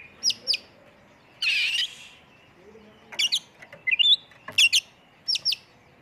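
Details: Oriental magpie-robin lure song in full 'isian' 'tembakan' style: sharp high chips in pairs, a harsh raspy burst, then rising whistled notes, with faint low background murmur.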